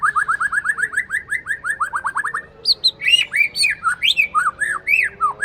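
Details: Aceh white-rumped shama kept in a cage, a breeding male said to be loud and to learn imitated songs. It gives a quick run of rising chips, then shifts into varied arched whistles and harsh, squawky notes.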